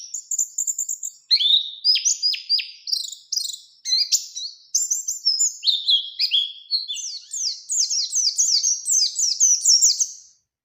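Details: High, rapid song of an Oriental white-eye, Bustomi variety, in long 'ngalas ngerol' form used to trigger rival challenges: steady chains of thin descending chirps and twittering slurs, building to a dense fast stream near the end.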